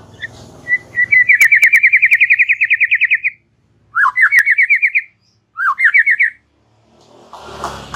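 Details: White-rumped shama in relaxed chattering song for tutoring young birds: long rapid run of bright repeated chips, then two shorter bursts each opening with a low upslurred note, over faint background hum.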